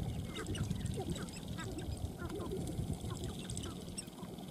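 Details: Sharp-tailed grouse on the dancing ground give dense, overlapping clucks and short nasal cackles, several with crisp upper overtones, against steady low background noise.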